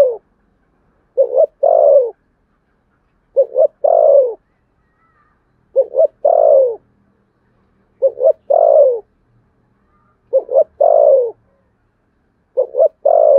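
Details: Spotted dove contest cooing, Sấm Thổ voice style: six even phrases, each a quick double note then a loud falling coo, repeated about every two seconds, quiet background.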